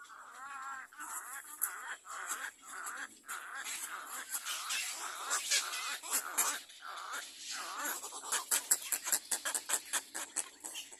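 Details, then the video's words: Little egret chick in a second nest begging its parents for food, giving loud, harsh, nasal squawks mixed with rapid clicking notes in irregular bursts, growing denser and sharper near the end. "Baby bird little egre is crying for food for his parents"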